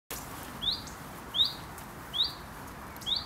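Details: Common chiffchaff nesting in a UK garden gives its alarm call: four short, quick upward-sweeping "who it?" notes, roughly three-quarters of a second apart, over quiet background hiss.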